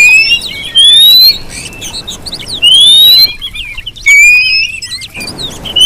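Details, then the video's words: Female Oriental magpie-robin whistling, a call used to lure and provoke males into singing: loud clear rising whistles repeated in bursts with fine high twitters, separated by short quiet gaps. "Siulan Kacer Betina ini dulu siapa tau cocok buat Pancingan bikin kacer Bergaya"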